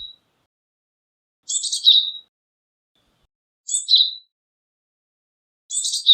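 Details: Japanese tit giving three separate high buzzy calls, each a harsh rasp ending in a short thin whistled note, spaced about two seconds apart with silence between.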